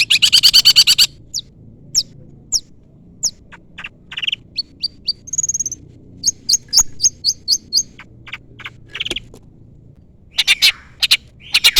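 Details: Long-tailed shrike singing with mimicked fill notes while challenging a rival: rapid harsh chatter, then a varied stretch of high whistles, sharp chips and short trills, ending with loud rasping notes again.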